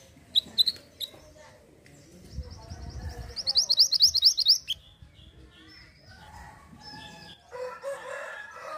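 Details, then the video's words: Hill blue flycatcher calls used as a lure. A few sharp high chirps open, then a fast burst of about a dozen bright repeated notes, followed by scattered varied chirps and lower mixed sounds. "Ampuh pancing bunyi Mantenan Gunung!"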